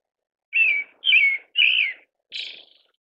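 A Pale thrush gives four harsh, slightly buzzy high notes about half a second apart, the last one fainter, in an otherwise quiet setting.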